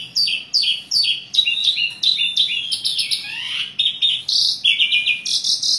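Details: Asian pied starling delivering a full, varied song as a lure for birds reluctant to sing: rhythmic series of sharp, stacked squawky notes several per second, one descending slurred whistle, then dense repeated chatter.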